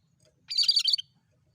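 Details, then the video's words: Lure recording of a cream-striped bulbul in lively song: a single loud half-second burst of rich, rapid, warbling and chattering notes, with silence on either side. "Burung cucak kerinci gacor!!"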